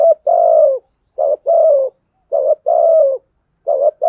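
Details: Decoy spotted dove giving fighting coos to draw wild birds in: repeated low, hollow phrases, each a short clipped note followed by a longer falling coo, the pattern recurring roughly every second and a half.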